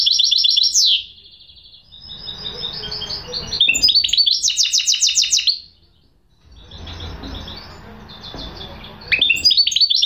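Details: Goldfinch hybrid (mule) in full song: bursts of fast, tinkling, high-pitched twitters and trills broken by short silences, each phrase bright and rapid.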